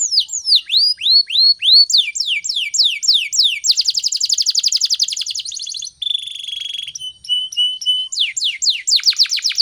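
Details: Canary in morning song, played so other birds pick up its phrases: sweeping whistled notes, a dense buzzy trill, a flat drawn-out tone, then fast descending chirps.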